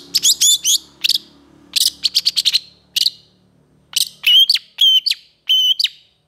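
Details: Long-tailed shrike in a full-repertoire tutor song, said to be easily provoked by other shrikes: quick clusters of sharp clicking chirps, then four ringing phrases each holding a clear, steady whistled tone, separated by half-second gaps.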